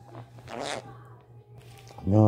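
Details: A pet talking conure utters a brief, raspy speech-like phrase, "ayu chakhada" ("aw, so good"), with bright high overtones. A person's low voice follows, over a steady electrical hum.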